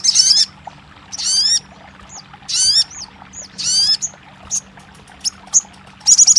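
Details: Crested jay therapy sound for a silent bird: short bursts of high rattling trill, each with a falling whistled sweep, come roughly every second, separated by single upslurred whistles and clicks, with a faint low hum behind.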